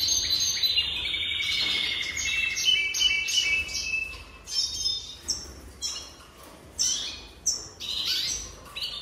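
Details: Jaspe canary opening with a sustained high trill and chips, then shifting to separate harsh, raspy bursts spaced one to two seconds apart.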